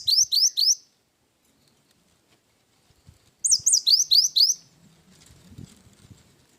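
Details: Singing cinereous tit, gacor style with wingko fill-in: a string of four fast rising swept notes, a silent gap, then six or seven more upward sweeps, with faint low knocks afterwards.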